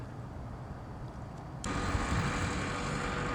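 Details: Low background rumble that jumps to a steady broadband hiss after about one and a half seconds, with no animal calls.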